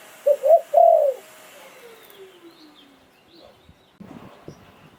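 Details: Thai decoy Spotted Dove in Sai Phon Liu Tan style. One phrase of two quick rising coos and a long descending note, then a faint sliding tone and scattered soft knocks in the quiet.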